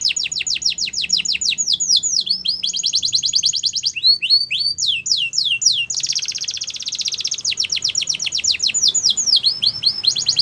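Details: Canary song with fast high trills alternating with series of swooping whistles, then a loud dense buzzing roll and more descending note runs.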